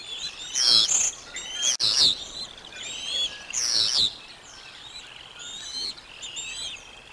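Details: Bald eagle feeding visit at the Decorah North nest, the female bringing lunch for the eaglets on 05 06 2022: loud shrill chirping bursts with harsh high squeals, separated by quieter whistled twitters and a sharp click.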